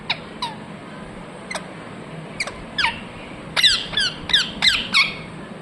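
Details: Parrot talking "mithu mithu": a few spaced, thin, falling notes, then a quick run of five louder, harsh, harmonic syllables near the end, with a faint background hum.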